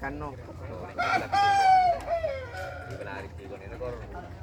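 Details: A chicken gives a short, sharp crow, a steady clear tone lasting about a second, preceded and followed by rough clucking and some background noise.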